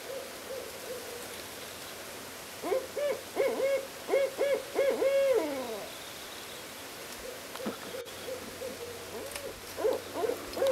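Barred owls trade deep, rhythmic hoots, one bout of several rapid hoots answered by a shorter burst, with wavering, gliding ends. A quiet background otherwise.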